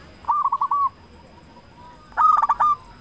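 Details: Zebra dove, a loud local bird singing as a lure to get other zebra doves to call: two quick trilled, stuttering coo phrases about two seconds apart, each a burst of rapid notes ending in a drawn-out purr.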